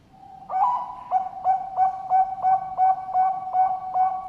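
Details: Captive Bangkok-type zebra dove from a bird farm in Sidoarjo, East Java, Indonesia, giving its full, melodious song: a rising opening note, then about ten soft, mellow cooing notes repeated evenly about three times per second at a steady pitch.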